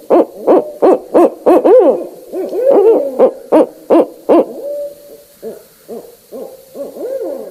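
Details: Barred owl calling: a fast series of loud rhythmic hoots, then a pause of gliding notes, more punchy hoots, and a quieter tail of rising-and-falling, slurred hoots.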